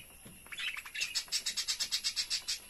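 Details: Lovebirds calling while eating, a run of sharp high chirps repeated about every 0.15 seconds, building from softer scattered notes into a steady rhythmic series.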